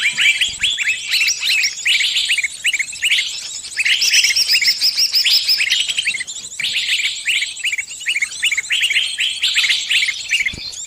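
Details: A trapped bird calls its companions for help: dense, overlapping high chirps and short downward-sweeping notes in rapid, irregular bursts, with several birds chattering together throughout and a brief lull near the seven-second mark.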